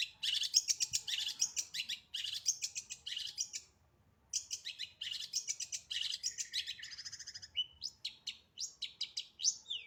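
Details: Long-tailed shrike singing a dense, rapid medley of scratchy chattering bursts and high squeaky notes, with a brief pause near the middle before the busy phrases resume and end in upward sweeps.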